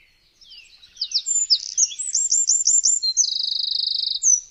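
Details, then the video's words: A Eurasian wren bursts into loud, high, rapid song: a tumble of sharp chirps and slurred notes, then a fast rattling trill and a final flourish, with no other sounds. "Bird sound #5 - Eurasian Wren"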